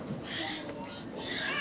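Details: Riley, an American barn owl (Tyto furcata) in a zoo birds-of-prey show, calls back to his trainer after a silent flight with two harsh, hissing screeches, each about half a second, over a murmur of crowd.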